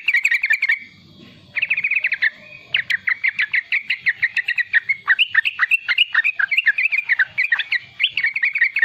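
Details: Young sooty-headed bulbul in full riwikan song, used as a lure to draw sound from untrained and juvenile bulbuls: rapid chattering bursts of short bubbly notes, with a brief pause near one second and another near two and a half seconds.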